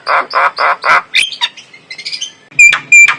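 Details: Lure song of a clear-voiced male Javan myna with white eyes: four rasping, harsh notes in a row, then mixed squeaky chatter and two sharp, high, whistled notes near the end.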